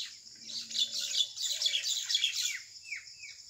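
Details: Common mynas fighting at 6 pm on 6 May 2021 in a rural area, likely over a date-palm nest hollow, chatter harshly in a dense, unbroken squabble of grating, squeaky notes, ending with a few down-slurred whistles.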